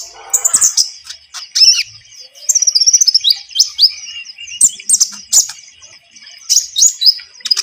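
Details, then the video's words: Javan munia song suited to luring birds for trapping: high, twittering chirps, a quick run of rapid ticking notes, then squeaky slurred whistles in scattered bursts. "MASTERAN KONIN GACOR SUARA ENAK COCOK UNTUK PIKAT/PANCINGAN"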